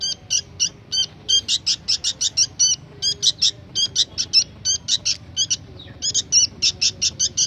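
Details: Young sooty-headed bulbul in active voice: dense bursts of sharp, high, ringing chirps, grouped in clusters of three to five, with brief pauses between groups.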